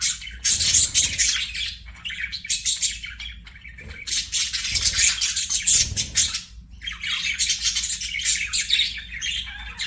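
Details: Budgie chirping sounds: long stretches of fast, buzzy, scratchy warbling with rapid pulsed chirps, broken by short pauses and a few soft low thumps.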